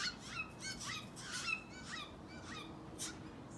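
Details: A Steller's jay fledgling gives harsh, nasal, raspy notes, repeated about twice a second with bent, wavering pitch, over a low background rumble.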